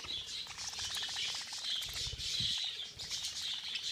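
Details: A flock of budgerigars in a feeding frenzy: dense, continuous high chirping and chattering from many birds at once, with brief wing flutters and soft patter underneath.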